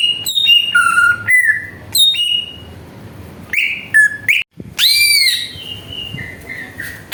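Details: Greater green leafbird song as a lure for rival birds: varied rich whistles jumping between pitches, short sharp notes and sliding phrases, fairly continuous throughout.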